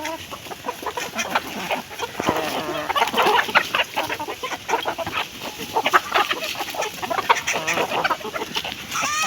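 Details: Feeding chickens give a continuous mass of short clucks and scratchy pecking sounds, overlapping throughout with no pause.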